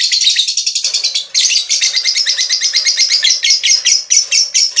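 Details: Ngekek, the lovebird's long chattering song, played to stimulate other lovebirds to chatter: a continuous rapid, scratchy string of high notes, pulsing several times a second. It pauses briefly, then runs on unbroken.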